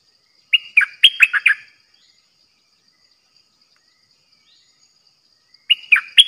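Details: Decoy bulbul kept in a cage for trapping birds sings two short phrases about five seconds apart, each a quick run of liquid whistled notes, with quiet pauses between.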